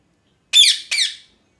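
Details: A parrot screaming: two harsh, grating squawks in quick succession, each rich in harmonics and sliding downward, the second slightly shorter, in an otherwise silent room.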